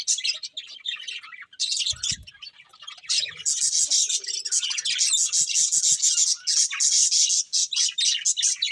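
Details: Budgerigars chirping: dense, continuous high warbling and chattering chirps with brief sharp squawks, after a short quieter opening, a faint low thump near two seconds.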